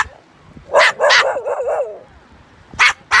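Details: A pet umbrella cockatoo that learned to bark by conversing with dogs in a park gives hoarse, bark-like yelps, two sharp barks then a wavering growly run, with two more barks after a short pause.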